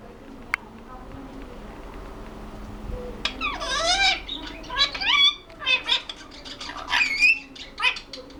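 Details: Pet ringneck parrot kept at home: after a quiet start, a run of harsh, rising and falling squawks and chattering notes from about three seconds on, some swooping up and down in pitch, loud and close.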